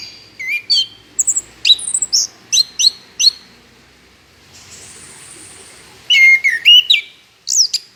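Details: Orange-headed thrush singing, used as a lure to make other birds sing: a series of crisp whistled notes repeated at short intervals, a steady hiss in the middle, then a final burst of warbled phrases.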